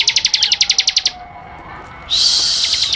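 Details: Bar-winged prinia song used for training cage birds: a rapid series of about a dozen sharp, high clicking chips, a short pause, then a dense high buzzy trill, with a faint low drawn-out tone underneath.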